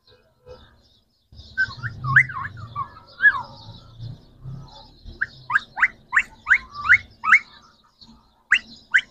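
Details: Green Pakistani talking parrots, three together: wavering squeaky notes over a low rumble, followed by a series of quick rising chirps repeated in rhythm.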